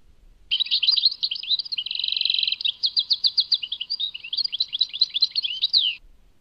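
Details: Goldfinch singing, associated with Tadmait: rapid twittering phrases, a steady buzzy trill in the middle, then quick repeated chirps and sweeping whistled notes, a single bird dominating a quiet background.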